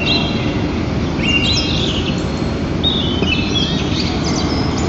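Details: At a nest in Lower Kama National Park, 22 April 2023, two white-tailed eagles exchange places and call: scattered high, thin yelps, some sliding down in pitch, in two short clusters over a strong low wind roar.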